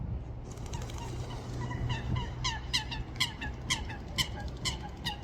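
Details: Duck giving screeching calls: a rapid run of short, sharp, harmonic-rich notes, roughly two per second, growing louder and harsher toward the end over a steady low background rumble.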